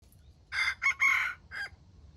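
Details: A junglefowl crowing in the morning gives one hoarse, broken crow in four quick parts, the third longest and the last short and clipped, over a quiet background.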